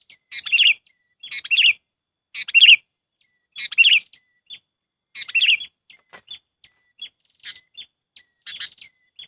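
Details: Sooty-headed bulbul trapping lure: five loud, rich chattering phrases in quick succession, then a stretch of thin, high single chips and one softer phrase.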